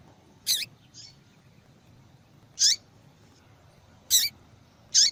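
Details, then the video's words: Female yellow-bellied seedeater calling insistently to stimulate males to sing: high sharp chirps spaced one to one and a half seconds apart, one softer note between, faint low hum underneath. "Fêmea de Papa capim Chamando Muito !"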